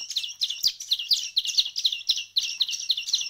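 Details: Hand-fed songbird chicks, one week into hand-feeding, give rapid high-pitched chirps in dense, overlapping bursts with a sharp double-toned squeak. A brief low thump marks handling.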